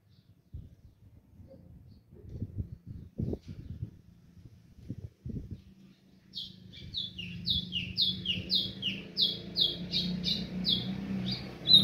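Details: Pet azulão (Ultramarine Grosbeak) taken outdoors in its cage for a warm-up: low knocks and handling noise first, then a steady series of high descending whistled notes about twice a second over a low hum.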